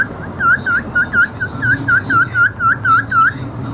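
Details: An Alexandrine parakeet (Psittacula eupatria) gives a quick run of clear, dipping whistles, about three per second, over a low background hum.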